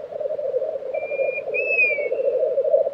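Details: Black grouse lekking in April 2023 at Tiveden, Sweden; a rolling, bubbling drone fills the background while a single long whistle swoops upward then falls.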